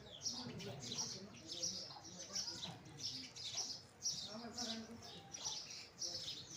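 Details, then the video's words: House sparrows chirp in a steady stream of short, bright notes, roughly two per second, with several birds overlapping and faint voices underneath. "House sparrow sound | Sparrow chirping sound"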